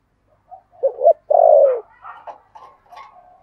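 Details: Spotted dove kept as a decoy bird to lure others, calling in the "thổ" voice style: a few short low coos, then one long, loud, falling coo, followed by softer, fainter cooing notes.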